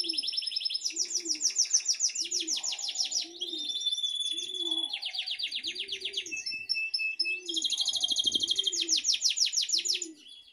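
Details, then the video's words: A canary sings a long, fast run of high rolling trills and chattering phrases, with soft, low, dove-like coos repeating about once a second underneath. "meu canário cantando!"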